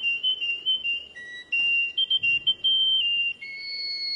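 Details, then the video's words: Canary singing a loud run of pure whistled notes, alternating short phrases with longer sustained tones and shifting pitch steps, including a low steady note and a high held note at the end. "تغريد كناري عجيب"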